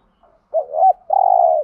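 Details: Spotted dove coo used to stimulate other doves: a short soft note, then a rising-falling hooked coo, then a long, level, slightly throaty coo at mid pitch. Otherwise quiet.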